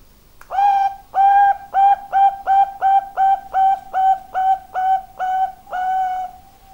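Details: Bangkok-type zebra dove (perkutut) song: a steady run of about twelve short, mellow cooing notes at one even pitch, roughly two per second, the final note drawn out longer; no other sounds.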